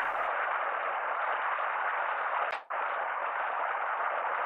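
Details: A steady broadband hiss fills the whole stretch and breaks off for a brief moment near the middle. No calls stand out from it.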